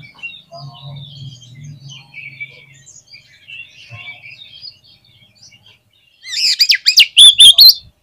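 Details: Gacor song of an Oriental magpie-robin, meant to boost the mentality of other magpie-robins: faint distant twittering at first, then a loud burst near the end of rich, rapid whistles and sharp chattering notes.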